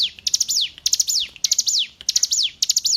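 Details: Hill prinia song for captive bird training: loud, high phrases with stuttering notes and a long falling slur, repeated in quick succession.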